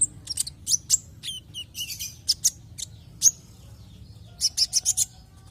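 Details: Javan white-eye song used as a lure to make other white-eyes sing: varied high chirps and whistled slurs, ending in an evenly spaced run of five sharp notes, over low hum.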